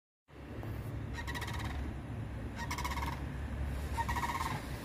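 A sandhill crane in flight gives three loud, rolling, trumpeting rattles about 1.3 seconds apart, over a steady low rumble of wind or distant traffic.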